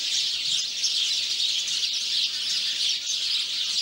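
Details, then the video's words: House sparrows in a garden keep up a dense, steady chorus of bright overlapping chirps, with no pauses and no other sounds standing out. "House Sparrow (Passer domesticus)"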